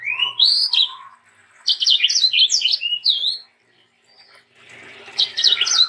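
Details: Actively singing sanger, kept as a tutor and lure for young birds: a rising whistle, then a burst of quick, sharp chirps, a silence, and fresh twittering notes at the close.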